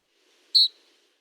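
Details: A Canyon Wren gives one very brief, high, burry call with a harsh, slightly trilled, referee-whistle-like modulation, in an otherwise quiet setting.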